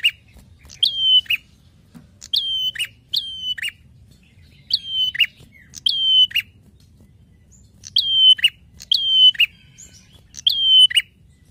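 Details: Prinia in a master recording used to train songbirds: sharp, high chirps, each ending in a short down-bending tail, given in pairs and triplets, about thirteen notes in all, over a quiet, clean background.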